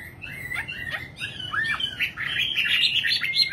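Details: Singing nightingale: a few short scattered chirps open, then a dense run of quick, twisting high warbled notes that grows louder toward the end.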